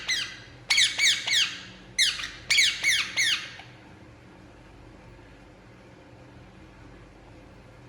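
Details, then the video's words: Indian ringneck parakeet while relaxing gives about eight shrill, harsh downward squawks in two short clusters, then falls silent for the remaining four seconds. "Indian Ringneck Parakeet Relaxing And Making Sound"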